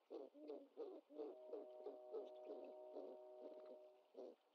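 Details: Great horned owlet at the nest being fed a bird by its mother, 25 March 2021, live nest camera; a quick series of low, hooting notes with a steady tonal hum running through the middle.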